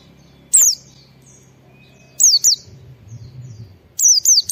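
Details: Lure song of a white-eye in ngalas style, intended to set other white-eyes singing; isolated high falling whistles, then pairs and a trio of quick slurred notes spaced by pauses of over a second, with low rumbling in between.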